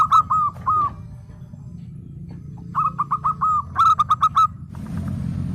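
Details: Local zebra dove singing actively: bursts of short, clipped coos in quick runs of three to six, with pauses between runs, over a steady low rumble; a noisy rush at the end.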